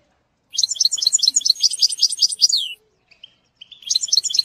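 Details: Goldfinch song played for schooling a young bird: a bright burst of quick, high twittering notes ending in a downslurred note, brief pause with faint chirps, then twittering starts again.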